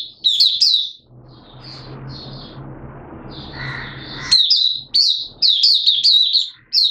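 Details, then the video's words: Oriental white-eye, Malaysian, kept as a cage bird and in minor moult: a high chirped phrase, a quiet noisy pause with soft notes, then dense repeated high twitters; recorded 2 April 2023. "Malaysian Mata Puteh Buka Sing"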